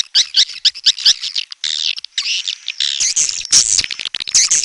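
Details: Swiftlets, burung walet, chattering in bursts of short high buzzy chirps, with a brief pause in the middle, then louder overlapping twitters and rasping calls.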